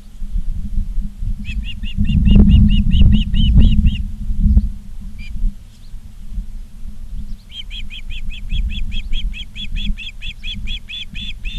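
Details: Two long series of rapid, piercing whistled chirps from an Osprey at a Charlo, Montana nest, 19 August 2023 at 16:05, separated by a pause, with loud low rumbling and knocking sounds underneath.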